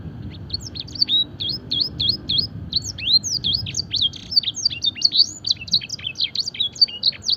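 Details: Gacor fancy canary singing blackthroat and edel sanger phrases for song training: a steady flow of sharp, high, up-and-down slurred notes that quickens into a dense rush in the second half.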